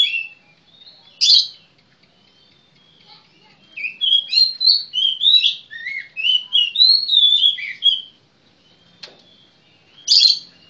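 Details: Magpie-robin (kacer) singing a rich run of varied whistled notes, some rising and some falling, packed in a fast phrase, with harsh rasping notes before and after it and quiet pauses between.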